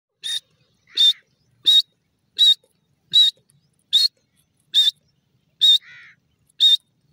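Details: Kashmiri teetar, a francolin, calling. Sharp, bright, clipped notes repeat in a steady run, roughly one every 0.7 seconds, nine in all. A softer, lower burbling note follows two of them. The background is otherwise silent.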